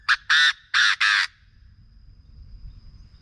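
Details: Chinese francolin calling, a sound played to stir up birds for decoy trapping: a short note, then three loud, harsh, grating blasts in quick rhythm, ending in faint background rumble.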